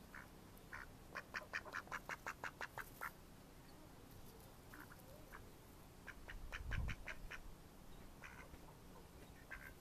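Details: Mallard ducks, May 2014: an evenly paced string of about ten nasal quacks, then a pause, a brief low thump, and further scattered quacks.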